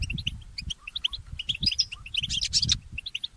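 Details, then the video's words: A goldfinch hybrid called a mule goldfinch sings early in the morning: rapid high chirps, a louder buzzy burst near the end, some faint lower whistles, and steady background hum. "The inspiring Motif of the Mule Goldfinch"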